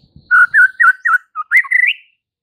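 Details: White-rumped shama singing to provoke fighter males: a series of rich, warbled whistled notes ending in a rising trilled flourish.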